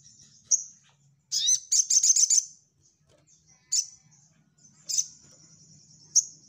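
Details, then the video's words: Orange-headed thrush singing nyecret nembak for training a group of birds: one high chip, then a fast rattling series of about seven shrill notes, followed by isolated piercing chips every second or so. "SogokOntong Gacor Nyecrett N3mbak l Untuk Melatih Mental Ombyokan"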